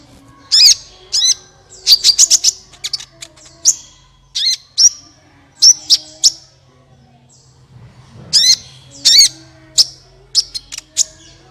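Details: Sunbird song played to make other birds join in: lively clusters of loud, sharp high chirps and slurred tweets, a short quiet stretch, then another burst of rapid notes.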